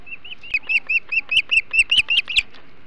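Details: Osprey at its Hog Island nest during a huge flounder meal, July 2016; rapid train of about twelve high whistled chirps, steady rhythm near four per second, growing louder and sharper toward the end.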